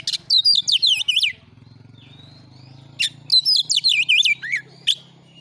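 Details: Oriental magpie-robin song used to provoke birds into display: two bursts of high, descending looping whistles and sharp chips, separated by a pause filled with low droning background hum.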